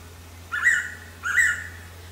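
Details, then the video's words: Blue-winged Pitta, also called นกกอหลอ locally: two loud whistled notes about 0.7 seconds apart, each sliding up then holding level, over a steady low hum. "เสียงร้องนกแต้วแล้วธรรมดา (นกกอหลอ) Blue-winged Pitta"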